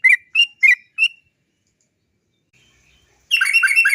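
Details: Sooty-headed bulbul (trucuk) lure song: four quick bright 'cok' chirps, a pause of near silence, then a dense, busy burst of overlapping chattering notes.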